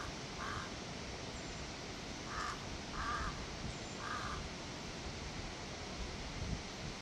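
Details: Crow cawing, recorded for attracting crows: four hoarse, nasal caws, one early and then three about a second apart, followed by quiet with steady background hiss and a faint low rumble.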